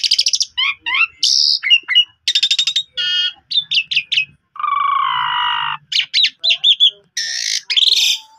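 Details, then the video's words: Lure recording of Asian pied starling song for a silent caged bird: a long medley of rattling trills, harsh chattering, rasping buzzes and a drawn-out nasal note near the middle. "Pancingan Maut Jalak Suren Pundung Langsung Gacor Dan Bongkar Isian"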